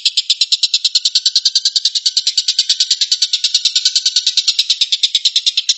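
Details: Harsh, machine-gun-like 'tembakan' rattle of a Stork-billed kingfisher, a call used to train White-rumped shama. Rasping pulses repeat quickly and steadily for the whole stretch, loud and clean.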